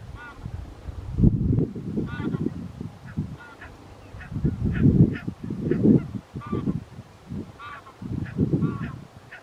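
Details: Wintering flock of Barnacle Geese, Ouddorp, Netherlands, late January 2023: many overlapping short barking yelps, near and far, calling almost continuously through wind noise that swells in gusts.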